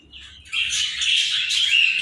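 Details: Pair of Indian ring-necked parakeets: a harsh, raspy squawking screech begins softly, then turns loud and continuous for about a second and a half.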